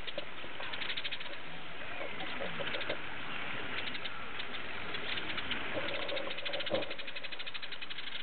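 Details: House sparrows at Opole Zoo giving a dense, continuous chorus of short, rapid chirps, many birds overlapping with no pause; the recording sounds muffled, with a steady low background hum.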